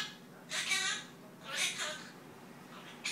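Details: Pet monk parakeet babbling mimicked talk: two drawn-out, buzzy, voice-like phrases with a nasal, harmonic quality, about a second apart, then a short clipped start of a third sound in a quiet room.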